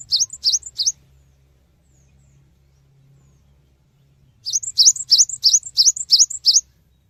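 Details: Cinereous tit lure song to make other birds answer quickly: three sharp, high, rising-and-falling notes, a pause of about three seconds, then a run of eight more in rapid even rhythm.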